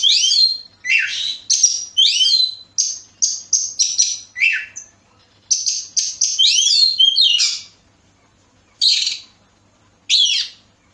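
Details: Oriental magpie-robin from Bekasi, used as a lure to make other birds sing: loud, varied phrases of sweet whistles, slurred rising and falling notes and short chattering bursts in quick series, with pauses of about a second near the end.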